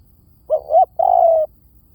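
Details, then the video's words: One spotted dove phrase recorded as a luring call: a short coo and a rising second coo, then a long mellow note sliding gently downward, with a quiet background. "เสียงนกเขาใหญ่!! เสียงต่อ! ชัดๆแบบ V18"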